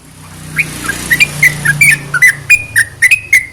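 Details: Sooty-headed bulbul singing to rouse lazy bulbuls: quick run of bright whistled notes, some slurred downward, some held flat, starting faint and growing louder, over a low rumble of passing traffic.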